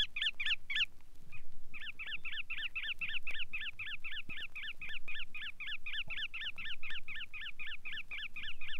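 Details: Bar-tailed Godwit from a Soviet waders sound guide giving a long, rapid, steady series of yelping double notes, about four per second, after a short opening burst.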